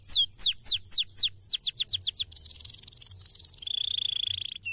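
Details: Canary singing in a cassava garden: loud descending sweeps speed into a quicker series, then a long fast buzzy trill and finally a lower, even rolling trill.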